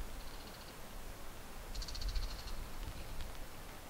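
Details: Two male Bull-headed Shrikes in Japan, early July 2014, perched on a rooftop TV antenna and a treetop, calling to each other in a territorial dispute: two short bursts of harsh, rapid, high chattering notes over low background rumble.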